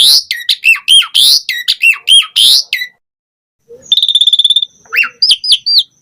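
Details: Asian pied starling in lively, varied song, used as a lure and tutor recording with rich filler phrases: fast bursts of harsh and whistled notes, a short silence, then a buzzy rapid rattle and several quick upslurred whistles.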